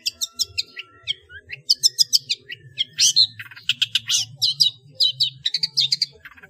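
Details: Long-tailed shrike song in the 'ngeplong full isian' style, recorded to train other caged birds. Quick varied chirps, buzzy rattles and sliding whistles follow one another rapidly, with a low rumbling hum throughout.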